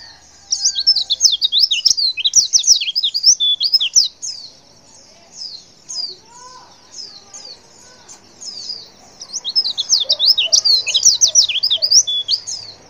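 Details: A female white-eye (pleci betina) gives a lure call, rapid, high, thin chittering in dense twittering bursts, pausing briefly midway before a busy final flurry.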